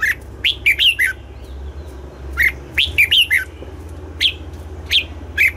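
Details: Red-whiskered bulbul singing in the morning in a double-note, mature wild style: short bright warbled phrases of three to four notes at irregular intervals over a steady low hum.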